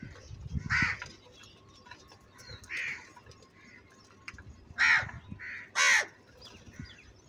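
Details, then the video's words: Angry crow voice: scattered harsh caws, a few faint and two loud ones close together toward the end, over low rumbling background noise. "Very loud voice of Crow sound - Angry kauwa ki awaz"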